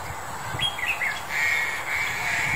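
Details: Black-collared Starling in February 2021 giving a few short rising whistled notes, then a long, harsh, nasal, screechy call. A steady background hiss runs throughout.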